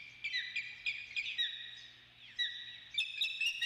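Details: Osprey at the Dunrovin Ranch nest on 28 May, sharp high whistled chirps in quick groups with downward slurred notes, a brief lull, then more rapid bright chirping, over a low background hum.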